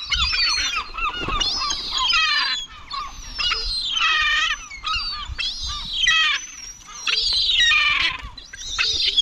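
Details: Gulls at a cemetery give repeated harsh, harmonic cries, each bout falling in pitch, about every two to three seconds with brief quiet gaps between. Faint low background rumble.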